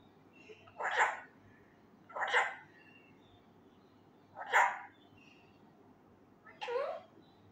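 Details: Four short, raspy spoken words from a young caged male Indian ringneck parakeet learning to talk, delivered roughly every two seconds, each a clipped speech-like burst, with low background hum.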